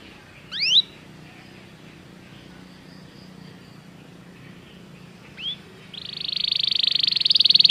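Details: Belgian canary singing for canary training: two isolated rising notes several seconds apart over faint background hiss, then a loud, sustained, rapidly pulsing trill that builds in strength toward the end.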